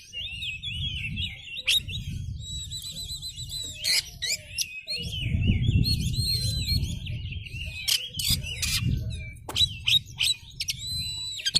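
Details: Oriental magpie-robin, a lively singing bird fanning its tail: continuous varied warbling of rapid whistled trills and wavering notes, with sharp clicks and a steady low rumble underneath.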